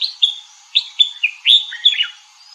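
A red-whiskered bulbul gives a quick run of bright, liquid chirps and short warbled notes, about six phrases in under three seconds, with nothing else heard.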